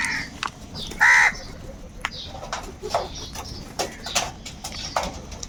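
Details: Crow, angry while fighting for food, gives a single loud, harsh caw early on, then only faint scattered chirps and clicks over a steady background hiss.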